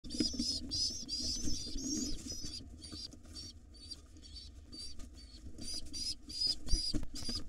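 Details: Wild pigeon nestlings in a nest box begging excitedly as their father arrives to feed them at breakfast; high squeaky wheezing notes in rapid bursts, mixed with rustling and scraping sounds of wings and bodies.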